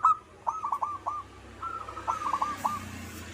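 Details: Zebra dove (local perkutut) in manggung singing, giving two short rolling phrases of quick, slightly descending coos with a soft background hiss between them.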